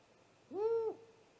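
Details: Live nest camera at night, 30 March 2018, great horned owl attacking a great gray owl at its nest: a single drawn-out arched hoot, steady in the middle, with a soft lingering tone afterwards.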